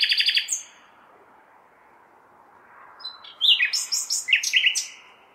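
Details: Urban nightingale singing on a May night: a quick stuttering trill, two seconds of near silence over city hum, then a lively string of varied whistles and rattling repeated notes.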